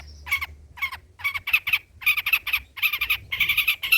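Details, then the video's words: Long-tailed shrike in old-style song material for lure and tutor use, giving harsh rasping bursts repeated roughly twice each second, with a faint low hum underneath. "BURUNG CENDET MATERI JADUL BONGKAR MATERI MEWAH"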